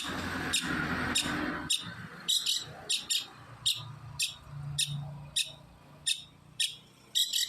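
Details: Long-tailed shrike giving short, clicking rasps repeated roughly twice a second over a steady background hum and murmur.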